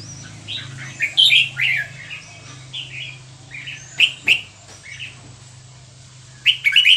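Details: Burmese-type red-whiskered bulbul at Dan Singkhon singing a varied run of short chirpy and warbled notes, pausing, then bursting into louder phrases near the end, with a constant low hum.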